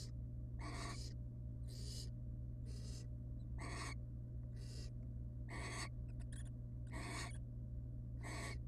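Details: Nest-box camera on wild barn owls, a pair with their babies; a steady series of rasping hisses, about one per second, with a brief flutter of clicks in the middle and a persistent low hum.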